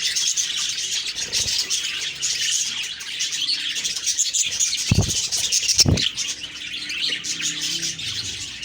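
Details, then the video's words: Morning chorus of budgerigars, thick overlapping chirps and warbles, interrupted by two low thuds and a faint low hum in the background. "Beautiful morning birds chirping sounds/Budgie sounds"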